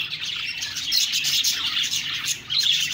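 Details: Budgies chirping and chattering: a dense, continuous wash of high twittering with scattered sharp tweets, steady throughout with no pauses.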